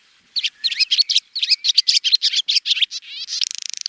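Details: A swallow's warbling twitter: quick high chirps and slurred notes run together, ending in a rapid grating buzz of evenly spaced clicks.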